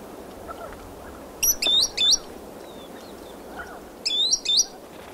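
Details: Green sandpiper giving close flight alarm calls: two bursts of loud, clear, ringing whistles, three quick notes then a couple more, with spotted sandgrouse and crested lark calling faintly in the distance.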